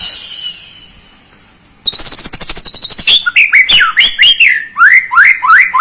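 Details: Lure song of a White-rumped shama meant to excite a young bird: after a faint start, a dense high rattling trill bursts in, followed by a run of loud looping whistled phrases.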